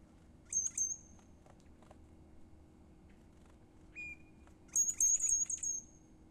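Hermit thrush song: a clear held whistle, then a high, fluty, shimmering cascade, with an earlier high phrase. Low background hum.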